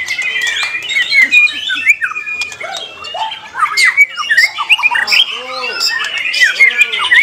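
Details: Shama singing at a bird contest, pouring out quick whistles, slurred sweeps and squawky notes, while arched lower calls from other contest birds join in the second half.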